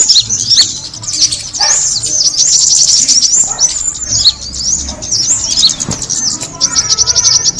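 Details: Kemade bird call used to attract birds: dense, rapid high chirps and thin sweeping whistles, many overlapping, with a faint low hum underneath.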